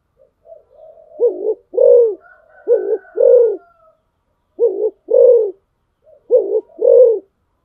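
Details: Decoy spotted dove repeating low hollow coos in pairs, a short note then a fuller longer one, three pairs spaced about 1.5 seconds apart, preceded by soft murmurs and a faint whistle.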